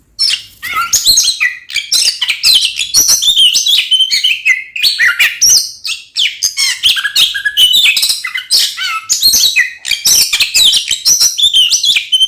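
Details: Vigorous Oriental magpie-robin song, a lure meant to make other magpie-robins emotional and ready to fight: long, varied stream of sharp whistles, trills and chattering notes with short breaks between phrases.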